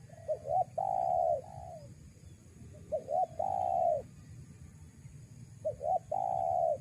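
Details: Spotted dove voice used for luring wild doves, giving three regular phrases, each of two short hooked notes and one long even coo, spaced about every two and a half seconds over low rumble.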